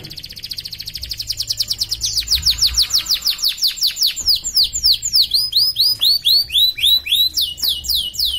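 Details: Caged canary performing in an online singing competition, from Pontianak, West Kalimantan, Indonesia; loud rolling trills of rapidly repeated downslurred notes, quickening, then switching to a faster, higher trill that runs on steadily to the end.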